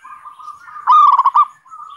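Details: Zebra dove lure song: soft, drawn-out cooing murmur, then a loud cluster of quick, throaty coo notes, fading back into a low sustained coo.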